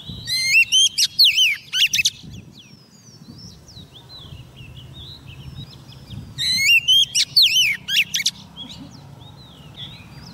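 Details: Oriental magpie-robin female, kept as a trapping lure, calling a male with two bursts of loud fluting whistles and twisting, looping notes, separated by about four seconds of soft distant chirping.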